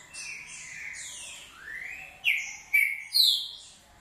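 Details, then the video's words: Green-winged saltator's short song, ending in three loud, sharp whistled notes that sweep downward one after another. A softer chorus of other high chirps fills the background before them. "Trinca ferro canto curto"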